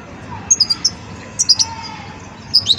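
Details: Three short, sparse phrases of high, clear chirps from a young European goldfinch of the Wedani type learning its song, each a quick pair or trio of notes, separated by quiet gaps over light hum.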